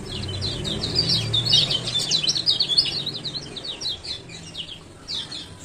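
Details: Ciak-ciak calls of a male Lemon-bellied White-eye from Lombok, played to get lazy birds to open their beaks: a loud tumbling stream of high, scratchy chirps that thins into scattered notes, with faint low noise beneath.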